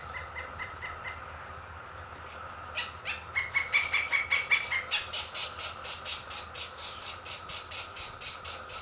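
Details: Pileated Woodpecker chicks, three young at the nest being fed by their parents, start with soft spaced notes, then break into a loud burst of rapid, buzzy, nasal begging pulses that slowly fade and steady.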